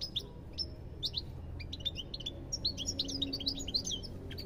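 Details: European goldfinch song: scattered tinkling notes that build into a dense, liquid twittering run of quick rising and falling chirps over faint low background rumble.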